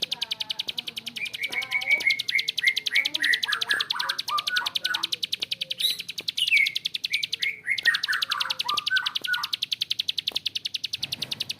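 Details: Long ngebren of a bar-winged prinia in a rough voice: continuous fast high clicking overlaid by a second bird's descending whistled and warbled phrases through the middle.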